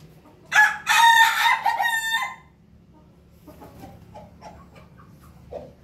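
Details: Pelung rooster crowing once: a loud, harmonic, slightly hoarse crow lasting about two seconds that holds steady, then wavers and breaks off, followed by faint scattered clucks and a low background hum.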